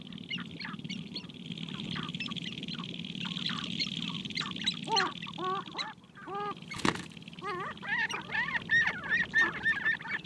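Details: Spring lek of sharp-tailed grouse on a prairie hilltop, males dancing and fighting to win females: a chorus of quick cackles, then hooting, bent whinnying notes in a fast series, over a constant high hiss.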